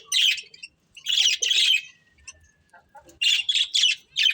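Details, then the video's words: A breeding pair of budgies making scratchy chirps in clusters separated by quiet gaps, ending with four quick buzzy notes. "Cute Budgies Chirping Sounds | Beautiful Budgies Breeding Pair"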